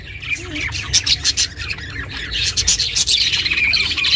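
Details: Pet budgerigar chatter meant to keep a lone budgie company: quick scratchy chirps, about three a second, becoming a busier, warbling run in the second half.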